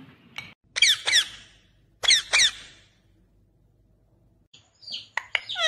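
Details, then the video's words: Talking parrot indoors giving harsh, high squawks in quick pairs, then a short run of sharp, scratchy chirps near the end, with quiet gaps between bursts. "बोलने वाला तोता मिट्ठू talking Parrot mummy papa"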